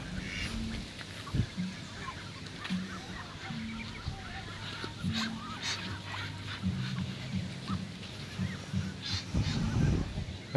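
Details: Muscovy duck, likely in its pen at night, gives low, breathy, cobra-like hisses and short droning calls, repeated in bursts over a noisy background; a young duck nearby stays silent, not yet able to call.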